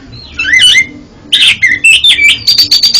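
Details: Oriental magpie-robin song used to train a faltering singer: twisting whistled phrases, then quick rasping notes and a fast rhythmic series of high, sharp chips.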